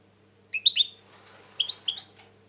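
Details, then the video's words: European goldfinch recorded in 2020, said to be quite tense: two quick phrases of bright rising and falling chirps, each about half a second long, separated by a short pause. "Saka kuşu ötüm"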